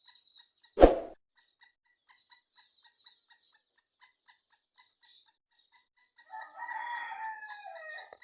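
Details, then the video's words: Black francolin (kala teetar) giving a harsh, grating call of about two seconds near the end, preceded by quiet scattered pips and a single sharp click early on. "کالا تیتر کی مکس آوازیں"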